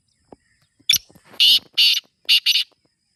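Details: Black francolin, apparently a kept bird being trained to call, giving a harsh, grating call: a few soft clicks, then four loud rasping notes in quick succession over about two seconds.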